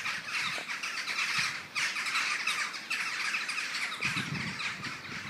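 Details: Huge flock of common starlings forming a murmuration in the morning, 21 November 2012, giving a loud, steady roar of shrill, crackling chatter that swells and dips, with a few low knocks late on.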